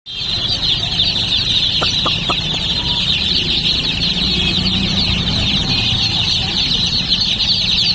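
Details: Baby chicks in a dense, continuous chorus of high chirping, countless overlapping peeps merging into a steady shrill wash, with a few brief sharp clicks near the two-second mark and a low rumble underneath.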